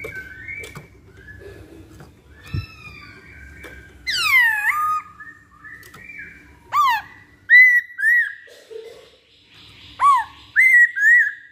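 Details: Masked laughingthrush (poksay Hongkong) song: soft sustained whistles, a click, then a loud descending swoop and repeated bursts of rising-falling whistled notes, grouped in twos and threes; faint hum beneath.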